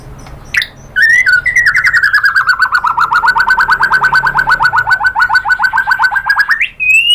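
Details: White-rumped shama song used to provoke other birds to sing: a long rapid rattling trill of repeated clipped notes lasting over five seconds, starting and ending with short whistles, over a faint low hum.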